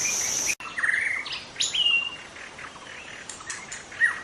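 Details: Young wild white-rumped shama in forest singing brief clear whistled phrases, some level and some upslurred, with a few sharp clicks; a sudden break interrupts early on and faint insect noise shows at first.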